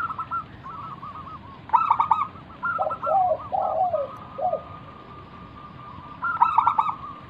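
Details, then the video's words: Wild local zebra dove singing as a lure to make other doves call back: stuttering cooing bursts, lower descending coos, and a final rapid phrase after a pause. "burung perkutut lokal Gacor manggung - pancingan pikat paling Ampuh mengundang bunyi"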